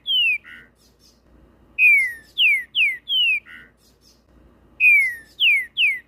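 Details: Fibrado green-winged saltator (trinca-ferro) singing. A phrase ends with a low burry note, then two full phrases follow, each of ringing downslurred whistles ending in a lower buzzy note, three seconds apart, with no other sounds.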